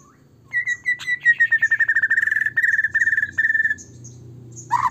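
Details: White-rumped shama song used to goad other shamas into singing: a fast even trill of repeated whistled notes held on one pitch for about three seconds, with faint low hum beneath and a sharp burst at the end.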